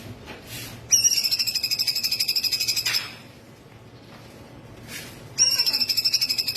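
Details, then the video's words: Cungkok laughingthrush giving its full song, meant for training other birds: two bursts of fast, metallic pulsed trilling on a steady high pitch, each lasting a couple of seconds and split by a quiet pause. "CUNGKOK FUL TEMBAKAN"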